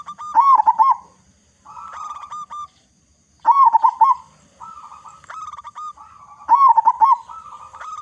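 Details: Loud local zebra dove, kept as a lure to get other zebra doves calling. Rapid wavy cooing bursts alternate with steadier trilled coos, in phrases repeated roughly every three seconds.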